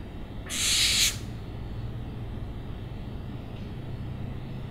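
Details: Owl giving a single harsh, hissing screech of under a second, broad and noisy like a rasping breath, followed by several seconds of quiet low background rumble.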